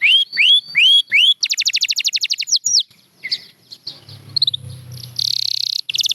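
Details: Champion canary song: a few hooked rising whistles, a quick rattling trill, then scattered notes over faint background noise. A buzzy, sustained burst comes near the end.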